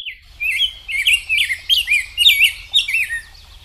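A Rose-breasted Grosbeak sings a sweet, rich warble of short rising and falling phrases, about two per second, much like a robin's song but smoother.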